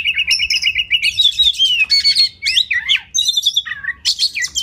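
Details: Oriental magpie-robin song used as masteran training material for competition birds: a rapid trilled rattle, then clear whistled slurs and sharp rising notes, high and varied, with short gaps between phrases.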